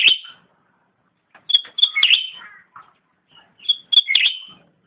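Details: Pet-bird training recording of Indonesian grassbird (cucak rante) song: an opening high note, then two repeated bursts of bright staccato chips sliding down into a brief chattering tail, with short silences between.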